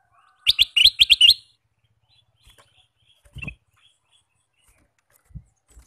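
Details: Singing male Ruby-throated bulbul, vocal all day long: a fast run of six crisp, high chirps lasting about a second, followed by quiet with a few soft knocks and thumps.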